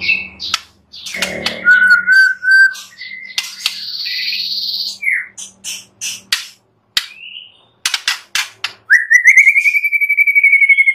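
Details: White-rumped shama, described as forest-wild, singing a rich, varied medley of clear whistles, trills and sharp chattering phrases, ending in a fast rising, rattling run; used as a training song to make caged birds sing.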